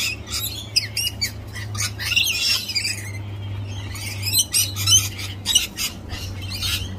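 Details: Many galahs (pink cockatoos) visiting boldly at close quarters, giving a near-continuous jumble of grating, screechy squawks from several birds, loud bursts rising and falling over a steady low background hum.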